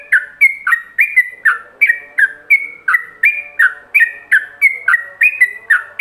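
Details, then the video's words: Ropelan song of a yellow-vented bulbul, played as a master for other bulbuls to learn; brisk repeated whistled notes flicking between high and low pitches, about three per second, faint background hum. "Pancingan Masteran Ropelan"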